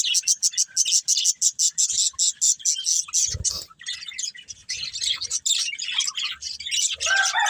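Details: Budgerigars, a breeding pair, start with a quick series of sharp clicking chirps, roughly a dozen in two and a half seconds, then shift into looser, scratchy warbling chatter.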